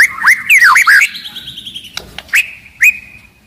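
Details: Aggressive, loud white-rumped shama giving a few looping, slurred whistles, then drawn-out rising whistled notes spaced by brief pauses.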